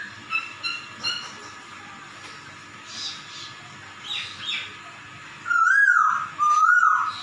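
A laughingthrush gives loud, wavering, meow-like notes that imitate a cat.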